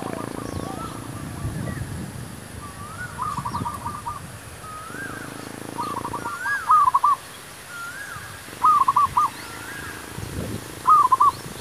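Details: A zebra dove sings as a lure for trapping wild doves. Crisp trills of fast, soft coos repeat every two seconds or so, and fainter answering doves coo in the background.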